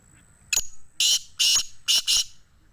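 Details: Harsh grating call series of a black francolin in Sindh, Pakistan: five rasping notes over about two seconds, a short first note then paired bursts, with a faint high whistle in the background.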